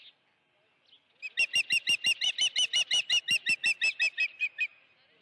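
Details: Osprey calling at the nest while holding a live fish, Dunrovin Ranch, 16 June 2019, 3:32 PM. After a quiet start, a burst of about twenty bright, evenly spaced whistled chirps, then it fades.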